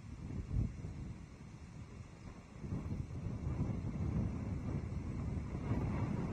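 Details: Gusting wind buffets the microphone outdoors, giving low rumbling bursts that rise and fall, with no animal calls.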